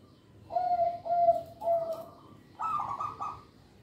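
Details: Local zebra dove song for luring and training young birds: three smooth, hollow coos in a row, a short gap, then a higher, brighter trilled phrase of three pulses.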